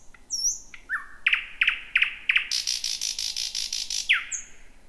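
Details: First thrush nightingale of 2026, singing at night hidden in tangled bushes: soft whistles, four evenly spaced sharp notes, then a long rapid rattle closing with a swooping note.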